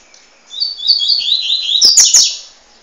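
A young double-collared seedeater gives a run of high, thin, wavering twittered notes for about two seconds, with a few sharp knocks near the end.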